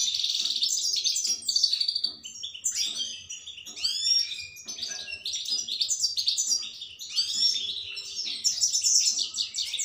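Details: Long European goldfinch performance: fast, sparkling twitters, buzzy trills and slurred chips strung together almost without pause, light low taps in the background.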